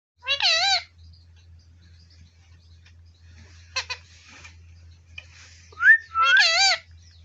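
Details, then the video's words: Indian ringneck parrot kept in a village, said to speak everything. Two loud, harsh, wavering bursts open and close the clip, with a short rising whistle just before the second and faint clicks and rustles between them. "मिट्टू मिट्टू Indian parrot speak everything."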